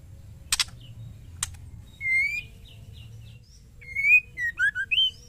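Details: A female white-rumped shama calls to males, giving two sharp, dry clicks, then a run of clear whistled notes, some slurred upward and some stepping down, with a faint low hum behind.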